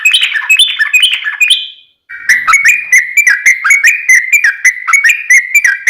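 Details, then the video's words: Yellow-vented bulbul singing a lively fighting song meant to provoke other bulbuls into replying: a short high warbled phrase, a pause, then a fast run of bubbling, slurred whistles. "trucukan gacor tarung ROPEL PANJANG pancingan trucukan agar bunyi"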